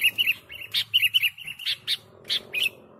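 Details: Sooty-headed bulbul, used for luring birds: lively chattering song of short bright chirps and slurred notes, about ten bursts in three seconds, some rising and falling, with faint low background hum.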